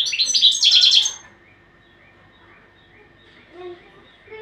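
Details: ['European goldfinch gives a quick, high, tinkling twitter lasting about a second, followed by near silence with a couple of faint soft chirps.']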